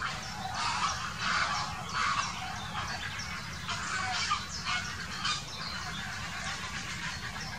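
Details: Grey heron quarrelling on the spot: harsh, hoarse squawking bursts at irregular intervals over a steady low rumbling background noise.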